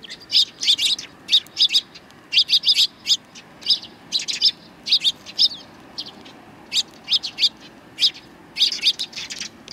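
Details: Several sparrows welcoming a familiar visitor on the outbound walk, 7 April 2020, including one bird with an injured foot; loud, bright high chirps in lively doubled and tripled bursts, nearly continuous through the clip, little other sound.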